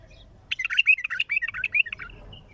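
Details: Strong bulbul song captured raw, heavy-throated: one continuous loud phrase of about one and a half seconds, a rapid run of chattering, bubbling notes rising and falling, followed by quiet.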